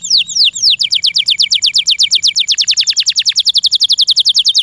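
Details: Tiny kept canary with a loud chirping song: a few slow descending whistles that speed up into a long, fast run of short sweeping notes, high and bright, repeated steadily to the end.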